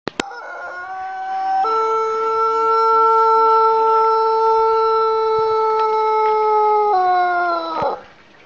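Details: A Pelung rooster from Garut gives a very long, drawn-out crow, held steady for several seconds before falling away.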